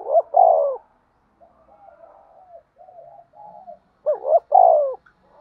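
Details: Spotted dove cooing in a fighting and calling context: a coo phrase of wavering double notes and a long falling note, soft quiet warbling, then a second identical phrase.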